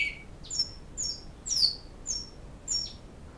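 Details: Sparse high whistled notes from a Great-billed seed finch in Canoas, Flauta Modesta song type, short clean tones spaced about half a second apart over a quiet background.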